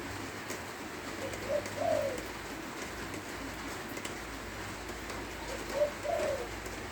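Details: Spotted dove in Lopburi, Thailand, cooing during rainfall: two soft, low rolling phrases roughly four seconds apart, each a brief lead-in note then a drawn-out burr, over constant rain noise and a faint low hum.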